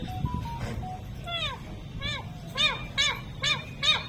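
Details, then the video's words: Talking parrot repeating a phrase: short tonal syllables, then a series of arched, harmonic-rich voiced notes about every half second, with faint background hum. "मिठ्ठू मिठ्ठू Talking parrot"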